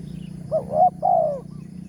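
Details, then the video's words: A spotted dove coos once at a morning trapping spot where a lure was set: a brief soft note, a louder wavering coo, then a long, gently falling final note, over low hum. "TEKUKUR SUARA BERSAR"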